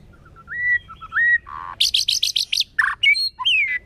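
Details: White-rumped shama singing in a wild, forest-style voice: soft rising whistles, then a burst of high stuttering buzzy notes, ending in downward-curving clear whistles.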